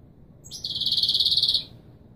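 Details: European goldfinch singing in the authentic Wiydani Marrakchi style, played to teach young birds: a single dense, buzzy high trill held steadily for about one second, with faint low background hum.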